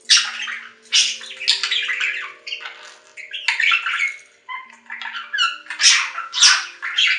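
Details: Budgerigar chattering in quick, irregular bursts of raspy squawks, clicks and bright chirps, about two per second, with a brief lull midway.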